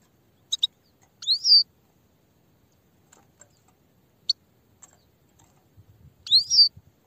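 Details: Grey-headed goldfinch giving sparse high notes: short clicks, then a bright rising whistled phrase near 1.5 seconds and another near the end, with quiet gaps between.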